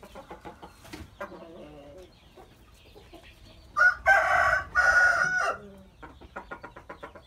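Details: Orange rooster, dated 4/3/2018: short clucks, then a loud, harsh crow in two drawn-out, level parts lasting about two seconds, followed again by rapid repeated clucking.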